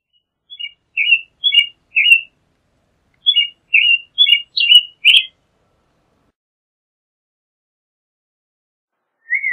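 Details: American robin song: a rapid series of short whistled syllables repeated roughly twice a second for about five seconds, then silence and one low whistle at the end.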